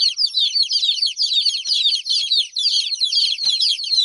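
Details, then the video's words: Young chicks whose mother is away: a busy stream of shrill, overlapping cheeps from several chicks, pulsing slightly. Two faint clicks sound in the background. "Chicks chirping"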